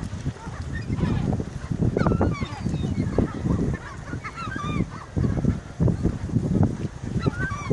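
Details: Seagulls fighting over food: many short, harsh, rising squawks from several birds overlap in quick bursts throughout, over a steady low rumble of background noise.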